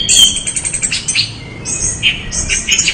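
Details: Short burst of orange-headed thrush song: high thin whistles and quick chattering notes run together at a steady, lively pace.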